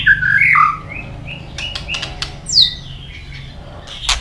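A white-rumped shama sings a quick run of clear, varied whistles, sharp ticks and a high falling slur, over a low steady hum.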